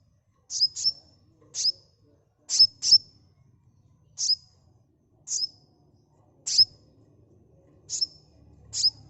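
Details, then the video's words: Lure recording of a sunbird: clean, high, sharp chirps, some given in quick pairs, each ending in a short falling whistle. The calls are spaced about a second apart over near silence. "Suara asli kolibri pancing bahan cepat respon ngeplong"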